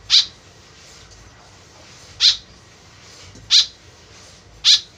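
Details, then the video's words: Lure recording of a white-breasted woodswallow: four brief, rasping calls separated by pauses of one to two seconds, set against a faint steady background hiss. "BURUNG KEKEP BABI GACOR SUARA JADI PIKATAN . SUARA BURUNG KEKEP MENDEKAT"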